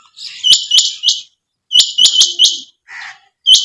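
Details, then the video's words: Female quail giving quick runs of sharp, high, clicky notes in groups of two to four, separated by short silences, with a brief soft rasp near the end. "chinga batair ki awaz /Quail sound"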